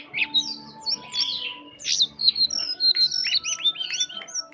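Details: Jongkangan bird singing steadily in a soft twittering ngeriwik halus style: rapid high chirps and short slurred whistles, some upswept and some falling, packed into quick bursts with brief gaps, over a faint steady low hum.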